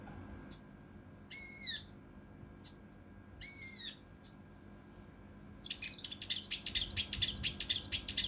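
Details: Cucak rante mas, the mountain leaf warbler, in a unique rough, dense song for training contest birds: piercing high notes alternating with curved slurred whistles, then a rapid continuous high chatter to the end.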